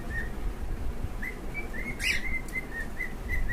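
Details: One of two cockatiels gives a string of short, clear whistled notes, about two or three a second, over a steady low rumble with one brief rustling burst.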